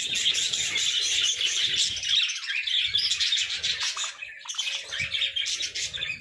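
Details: Budgerigars chirping in the morning: a dense, continuous chatter of high, quick chirps, twitters and warbled notes from several birds, overlapping without pause, with brief quieter gaps and faint low background rumble.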